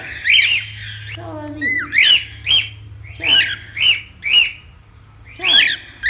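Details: Cockatiel calls aimed at taming a pet bird: a series of shrill, squawky whistled notes, each rising then dropping, given roughly every half second to second with short pauses, plus a lower warbling phrase near the start.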